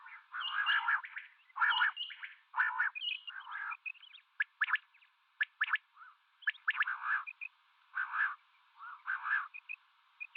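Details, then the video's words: Common quail, male and female mixed calling: clusters of short, sharp pulsed notes alternate with fuller, rougher bursts at an irregular rhythm. The sound is thin and narrow-band, like a phone playback. "Female Batair Calling 2020 | Male Batair Sounds | Mix Calling | Common quail Calling | Quail sounds"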